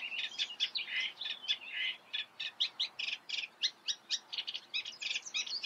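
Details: Eurasian reed warbler song: a steady, churring chatter of short, grating notes in quick succession, roughly five per second, with slight changes in pitch and rhythm, over a quiet background.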